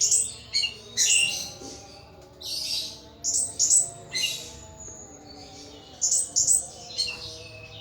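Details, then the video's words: A hobbyist's caged thrush singing loudly: high, rich whistled phrases in clusters of two or three, with brief pauses, some notes sliding downward, faint low hum beneath. "Burung Anis "Ronggeng" Ngeplong Mabok berat"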